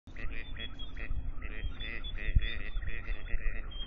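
Gadwall giving a quick run of short, nasal, reedy notes, about three a second, over a heavy low rumble of wind or handling noise.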